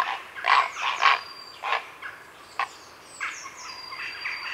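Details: Afternoon heronry of grey herons, recorded close: a run of rough, grating squawks, loud at first and then quieter and scattered, while a blue tit's high sliding whistles and jackdaws sound behind.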